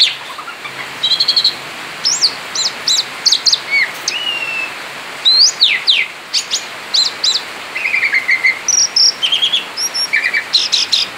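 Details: Outside the cage, a male Asian pied starling sings nonstop in 'ngerol' fashion: a lively mix of high squeaks, short chirps, flat whistles and rising slurs, steady and energetic throughout.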